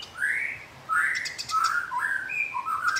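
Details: House sparrow squabbling with a rival, giving loud, harsh chirps, about one every half second, each rising then falling, with a faint high ticking behind.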